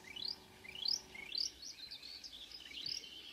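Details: Marsh warbler song at Kråkstad near Ski, Norway, at 5 a.m. on 2 June 2009, with a couple of birds singing. Quick rising whistled upslurs are repeated about twice a second, followed by a brief run of scratchy notes.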